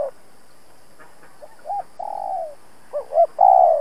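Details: Spotted dove calling as a trap decoy to draw challengers: after a quiet second, short rising notes lead into a long falling coo, followed by a double upslurred note and another sustained coo.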